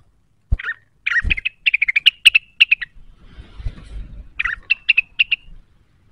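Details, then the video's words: Cucak wilis in lively full song, seeking an opponent and easily roused: fast chattering chirps and short whistled notes in a dense burst, a brief noisy gap, then a second run of crisp, evenly spaced chirps. "pancingan cucak wilis cepat emosi terpancing bunyi"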